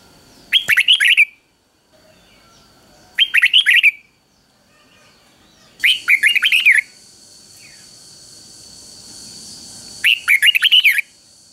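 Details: Red-whiskered bulbul in a cage singing a common three-syllable doubled song used for training young birds. Four short bright warbled phrases spaced two to four seconds apart, with a faint high hiss in the middle section.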